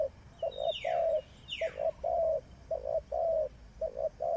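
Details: Spotted dove kept as a decoy for bird trapping coos steadily, a repeated pattern of two short notes then a long coo, while another bird gives two quick high descending sweeps early on.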